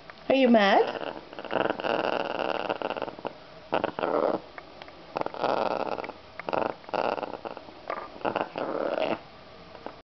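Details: Pet African grey parrot indoors, unhappy about being handled with a towel: a brief whistled upward sweep at the start, then long throaty, rasping growls and grumbles in several sustained bursts separated by short pauses.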